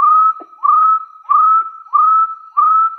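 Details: Wild hill partridge giving its challenge call at rivals: clear mid-pitched whistles, each sliding gently upward, five in three seconds over a steady held tone, with no other sounds.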